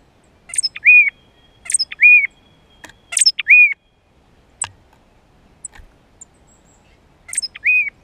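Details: Tufted titmouse calling: sharp, very high thin notes, each followed by a clear, arched mid-pitched whistle. The phrases come in bursts of two or three with pauses between, and a few faint high ticks sound in an otherwise quiet background.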